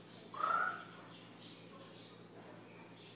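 A parrot gives one drawn-out, meow-like call that rises slightly and then falls away, followed by near quiet with faint background noise.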